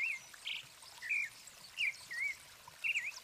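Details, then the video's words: Brazilian thrush (sabiá) recorded in the wild near Arapongas, Paraná, Brazil: clear whistled phrases, slurred up and down, repeated roughly every second, with faint softer notes from other birds behind. "Conheça 5 belos sabiás do Brasil e seus cantos."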